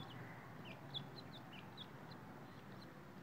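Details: Grey francolin chicks, known locally as dakhni or grey teetar: a rapid scatter of thin, high peeps, short downslurred chirps repeated several times a second over a steady low hum.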